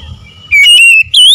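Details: Oriental magpie-robin in konslet style with isian fill-in: a short loud sequence of clear, sustained whistles, a level note followed by a gently rising one.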